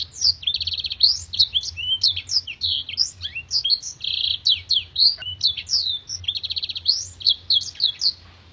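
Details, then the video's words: Black-throated canary singing gacor, a tutor recording for contest birds: loud, crisp high warbling with swooping notes and short buzzy trills, sustained without pause over eight seconds. "MASTERAN BLACKTHROAT GACOR NEMBAK PANJANG DAN TAJAM VOKAL JERNIH DAN KRISTAL"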